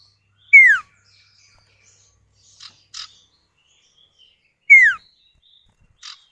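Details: Common iora pair answering each other, played as a lure to prompt other birds to sing: two loud, sharply falling whistled notes about four seconds apart, with faint short chips between them.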